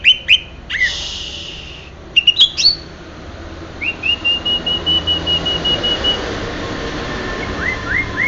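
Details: Greater green leafbird, authentic Banyuwangi variety: a few sharp chips and a hissy burst, then a long steady drawn-out whistle, followed by soft rising notes.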